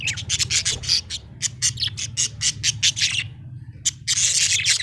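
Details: Happy budgerigar chirping: a rapid string of raspy, high chirps and squawky chatter, almost continuous, over a steady low hum.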